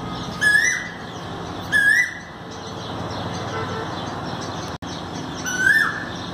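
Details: An Asian koel in India, recorded around 5 May 2019, gives three loud, rising whistled notes, spaced irregularly over a few seconds, against a steady hiss of background noise.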